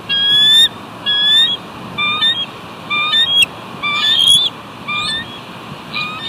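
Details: Two eagles guarding their nest at the West End, 29 March 2019, before both take off to drive off an intruder. A rapid series of shrill, piping chatter notes, about one burst per second, with a faint hiss behind.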